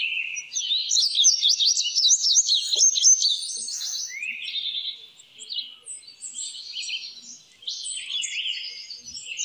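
An Indigo Bunting sings high, bright phrases of quick paired notes, sweeping up and down, with a brief pause before the next run. Nothing else intrudes.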